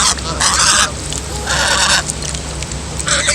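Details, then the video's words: Gosling, a young female goose, giving loud harsh honking calls in three bursts with short gaps between, strained and rasping in tone, over a steady low hum. "Baby goose makes strange and horrible noises"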